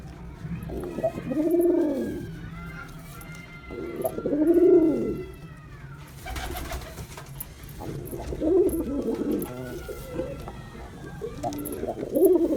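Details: A male Girabaj pigeon performs, repeating low, bowed, rolling coos about every three seconds, with a burst of rustling noise midway and faint higher chirps behind.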